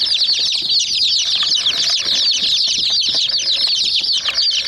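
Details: Murgi (chicken) chicks attacking a small white toy jeep: a continuous crowd of piercing, rapid cheeps layered over one another, and scattered soft knocks from pecking.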